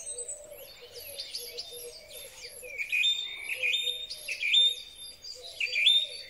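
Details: Song thrush in spring, recorded with a Huawei P30 Pro phone: jumbled high twittering, then a clear phrase of a dipping note and level whistle repeated three times, over a low steady warbling tone.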